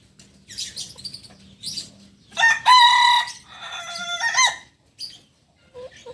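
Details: Kukuak Balenggek rooster, a native chicken of Solok, West Sumatra, crowing: a loud harmonic crow in several linked segments, rising then held and stepping down over about two seconds, preceded by short clucks and rustling.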